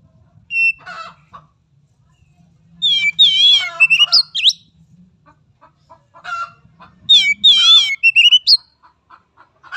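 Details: Oriental magpie-robin song played to train young birds: loud, varied whistled phrases with rapid warbling trills and sharp upslurred notes, in two main bursts separated by softer scattered chips over a faint low hum.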